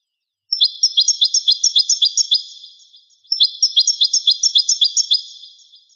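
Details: Goldfinch song dating to 1985: two phrases of evenly spaced, sharp high chirps, roughly ten each, separated by a short gap, clear and free of other sounds.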